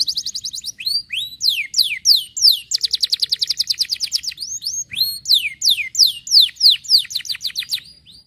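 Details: Canary singing to encourage canaries to sing: rising and falling whistled sweeps, a quick rattling series of chirps, then more loud repeated sweeping notes.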